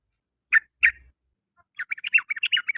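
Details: Sooty-headed bulbul singing in the afternoon: two short, harsh chirps half a second apart, a brief pause, then a quick bubbling run of about a dozen clipped, warbled notes. No other sounds.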